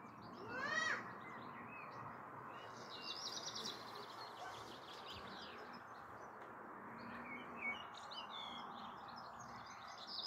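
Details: Black redstart singing in the evening on 29 June 2022: a loud brief note at the start, then a dry, scratchy buzzing burst, with scattered faint chirps from other birds behind a steady outdoor hiss.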